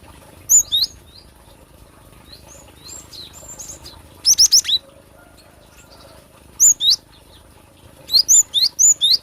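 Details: Cinereous tit song, recorded for luring or song training: high, sharp whistled notes in short pairs, a brief buzzy four-note rattle near the middle, then a run of five quick whistled notes at the end.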